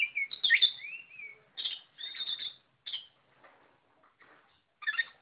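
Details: Energetic gacor song of an Oriental magpie-robin: a chattering phrase ending in a long smooth descending whistle, further bright bursts, quieter soft notes, then a final loud chatter.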